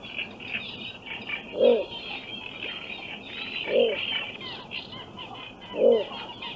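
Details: In Central Russia, a Little Bittern (Ixobrychus minutus) gives a short, deep, barking croak about every two seconds, three times, over a steady high hum of insects or distant birds.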